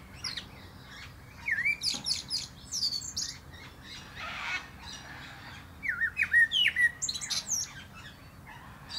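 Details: Common blackbird singing from the top of a plum tree; two fluted warbling phrases, each closing in high scratchy twitters, separated by a few seconds of quiet with a soft rustle.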